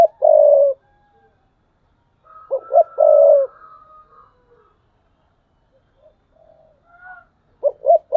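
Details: Thúc bổi cooing of a decoy spotted dove, 2022. There are three phrases of two short low notes plus a long coo, the last one cut off. A thin, high drawn-out whistle and faint notes come between them.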